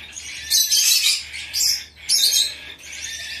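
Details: Hand-tame young Bourke's parrot in Fukuoka, Japan, recorded 10 September 2024, giving four harsh, hissy chirping bursts, each about half a second long, separated by short pauses, over a faint low hum.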